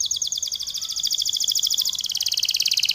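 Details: Canary in long, lively song: a continuous fast trill of high repeated notes, about three to four per second-fraction, steady throughout, with faint background noise.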